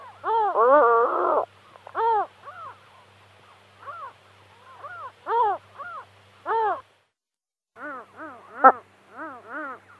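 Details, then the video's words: Pallas's gull calling in a series of harsh, clipped, chevron-shaped notes, a long braying note at first, then short yelping calls spaced about every half second to second, with a brief gap midway. "Хохотун. Голоса птиц"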